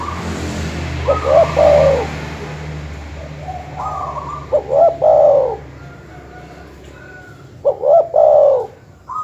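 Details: Dove calls used as a master to provoke rivals: three rolling coo phrases with a quick stuttered opening and a longer wavering tail, spaced a few seconds apart, quiet hum beneath.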